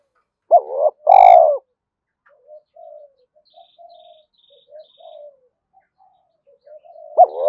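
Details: Spotted dove call meant to stir newly caught doves into calling: one loud low two-part coo at the start, a series of faint soft coos, then the next phrase beginning at the end.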